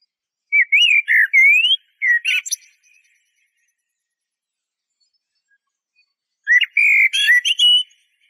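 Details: Eurasian blackbird song in two phrases separated by several seconds of silence; each phrase opens with rich, wavering fluted whistles and closes with thin, high twittering notes.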